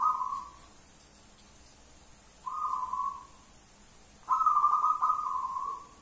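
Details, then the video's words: Wild local zebra doves calling loudly; three soft, rapidly trilled cooing phrases of steady pitch, the last longest and loudest, separated by quiet pauses. "Suara perkutut lokal alam menjerit-jerit"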